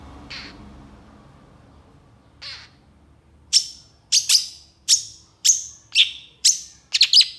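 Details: Long-tailed shrike in energetic, excited song: two faint notes, then a steady series of loud, sharp, downward-slurred chips about every half second, the last one doubled.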